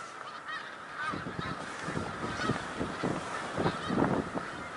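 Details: Snow geese massed at Middle Creek Wildlife Refuge, Pennsylvania, on March 1, 2021: a dense, continuous chorus of overlapping honks and yelps with no gaps, joined by low thumping bursts.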